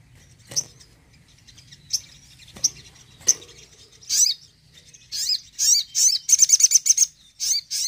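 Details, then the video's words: Sogon, the crimson sunbird, singing a tembakan: spaced single high chips at first, then denser bursts of sweeping notes and a fast, ticking trill near the end. "TEMBAKAN SOGON"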